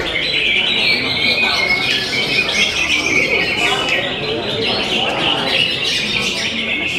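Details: Singing contest of greater green leafbirds performing in jamtrok style. Busy high twittering and squeaky, warbling phrases overlap continuously, mixed with loud human talk and murmuring from the surrounding crowd.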